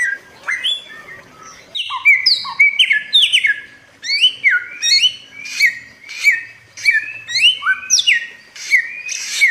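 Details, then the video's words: Samyong or bare-throated whistler, endemic to Flores in Nusa Tenggara Timur. A long, energetic series of loud whistled notes sweeps up and down, repeating in a steady rhythm, with occasional deeper slurred notes. "suara pancingan burung samyong buat masteran jernih gacor"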